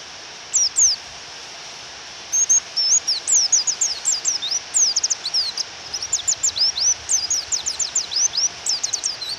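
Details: Japanese white-eye female calling to provoke the male to sing, recorded with rain. Rapid series of very high, sharp descending chirps, in bursts that quicken into a near-continuous twittering run over a soft background hiss.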